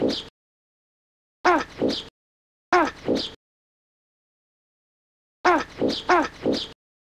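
A great white pelican gives low, hoarse grunts in short bursts of two to four, each burst separated by a second or more of silence.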